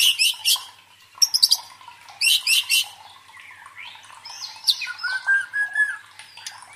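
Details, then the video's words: White-rumped shama provoking song for training a fighter's mental strength: repeated loud, harsh rattling bursts, followed by softer whistled slurs and a wavering whistle. "MELATIH MENTAL FIGHTER MURAI BATU DENGAN SUARA PANCINGAN INI"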